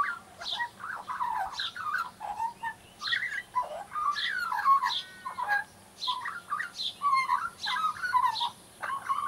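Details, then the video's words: Juvenile Australian magpie rehearsing song, stringing together fluty, gurgling and slurred whistled notes in a near-continuous babbling stream with brief pauses. "Baby Magpie Warming Up"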